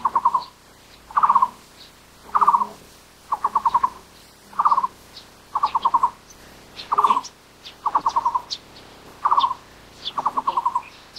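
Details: Taiwan barbet, a bird endemic to Taiwan living in broadleaf forest at low and middle elevations, giving low hollow trilled notes in short bursts of about five, repeated roughly every second; faint higher bird calls behind.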